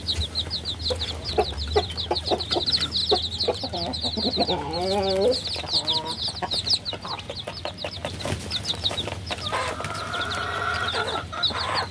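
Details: A group of chicks keep up a dense chorus of thin, high, falling peeps, joined midway by a lower wavering, warbling call and later a brief steady tone, over light knocking sounds and a low hum.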